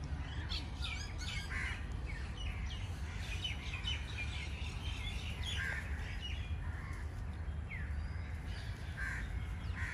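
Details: Crows calling: short, harsh caws in irregular bursts, some close together, over a constant low rumble of background noise, with faint high chirps from other birds.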